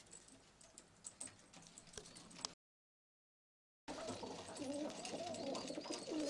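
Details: Istanbul pigeons with hazel or red eyes; scattered clicks give way, after a gap, to a steady run of low, bubbling coos with tapping behind.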